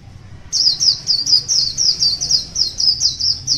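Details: A wild white-eye, kept one year, sings in the morning: rapid series of high, sweet down-slurred chirps, steady at roughly four per second, clear over a quiet background.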